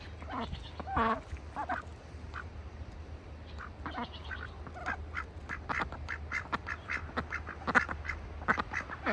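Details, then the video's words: Ducks kept in a bucket on a farm in wintertime, giving short nasal quacks and soft chattering calls in scattered bursts over a steady low hum, with clicks and splashy knocks between calls. "farm sounds. ducks in a bucket - wintertime."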